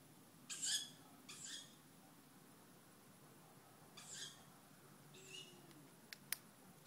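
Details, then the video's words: Two young tawny owls calling at night, starting around 23:07 and continuing all night: four hoarse, hissing, rising calls a second or two apart, followed by two sharp clicks, over a faint low hum. "Tawny Owls' night song"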